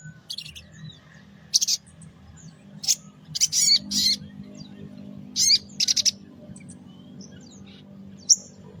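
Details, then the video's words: Sogon pastol singing actively in the morning, played as a lure to provoke small birds into answering: loud, sharp, very high buzzy bursts and chips in irregular clusters, with a low steady hum underneath. "Sogon Pastol Gacor di Pagi Hari Untuk Pancingan Suara Pikat Burung Kecil Agar Emosi Nyaut Bunyi"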